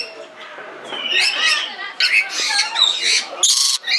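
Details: Red lory in Belgrade Zoo, Serbia, filmed in 2022: rough, grating squawks and chattering notes build from about one second, ending in a sharp, loud screech near the close, with zoo background murmur.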